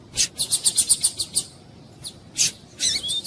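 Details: Double-collared seedeater with a calling female, in tuí-tuí style, played to warm up a male: a fast series of about eight high, buzzy, evenly spaced notes, then a few scratchy bursts ending in a short whistle.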